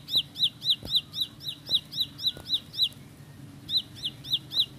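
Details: Ciblek sawah, the bar-winged prinia, gives a rapid roll song: bright upslurred notes about four per second. It pauses briefly near the third second, then resumes over faint low background noise.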